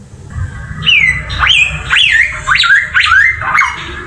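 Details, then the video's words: Samyong bird song for masteran: five or six loud looping whistled phrases, each sweeping up then down, about one every half second, over low background rumble. "Mastran burung samyong"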